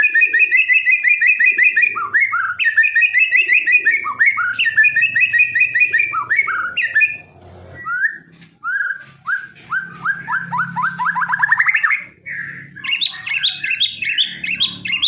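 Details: A kept white-rumped shama delivers a long run of rich whistled phrases, repeated slurred notes, then a quieter rising series of short chips climbing in pitch, ending with higher, buzzier notes.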